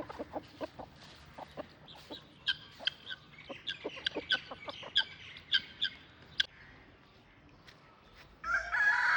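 A partridge gives quick, clucking and chattering notes at an uneven, hurried pace, followed by a burst of rustling noise at the end.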